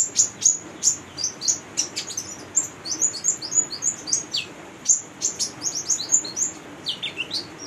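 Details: Female brown-throated sunbird in full chatty 'gacor' voice, used as a lure for training young birds: rapid high, thin chirps and sharp downward-sliding notes tumbling continuously in busy bursts.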